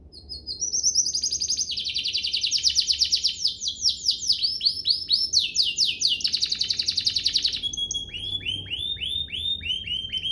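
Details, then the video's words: Domestic canary delivering a long ornate 'cengkok mewah' song used to train young birds and coax canaries into singing: high rolling trills changing speed and pitch, sweeping rapid phrases, ending in slower repeated downslurred notes. "Cengkoknya MEWAH, Efektif buat Masteran kenari paud dan pancingan kenari biar gacor"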